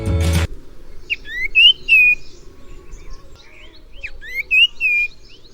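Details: A common iora in Sri Lanka gives two bursts of loud, clear whistles that slur upward into a drawn-out steady note, with low background music underneath.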